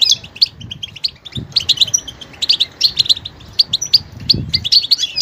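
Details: A goldfinch sings a lively stream of sharp high chirps and short buzzy trills, evenly spaced, while soft low thumps sound in the background.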